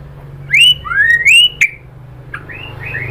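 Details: Lure song of a white-rumped shama, meant to draw a reply: loud upslurred whistles and a sharp click in quick succession, then softer short whistled phrases, with faint low humming throughout.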